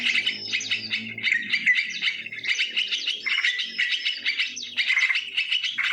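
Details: Live natural recording of sooty-headed bulbul lure calls: steady stream of sharp chirps and fluty, slightly rising notes with a soft low drone in the first seconds.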